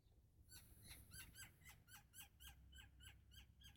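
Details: A woodpecker up in a tree on a Friday afternoon around 2:15 in Arizona gives a quick series of sharp, slightly falling notes, about three or four a second, over a low rumble of wind or distant traffic; another answers nearby.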